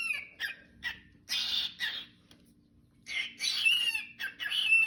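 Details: A pet cockatiel sings the learned tune "Juicy" in bursts of bright whistles and raspy chatter.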